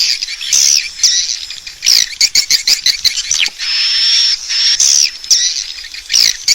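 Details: Swiftlets' roosting lure call for a bird house: bursts of shrill chirps and clicking rattles alternate with short gaps, and a long thin high whistle runs through the middle.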